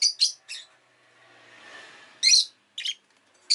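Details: Rosy-faced lovebirds kept as pets give sharp, scratchy chirps in quick pairs, then a pause filled by a soft faint hiss, followed by another burst of three raspy notes.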